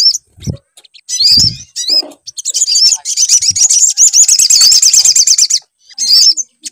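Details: High, rapid sunbird song used to make a bird sing: short chipping notes and dull knocks lead into a sustained, fast, shrill trill lasting about three seconds.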